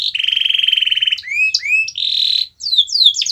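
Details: Canary singing used to get a reluctant canary singing: a long even rolling trill, then rising whistled notes, a buzzy phrase, brief gap and quick descending notes.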